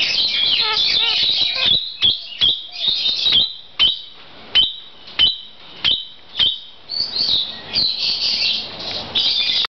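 Kakariki chattering: a burst of rapid, high chirps, then sharp squeaky notes about twice a second, ending in fast bright chatter.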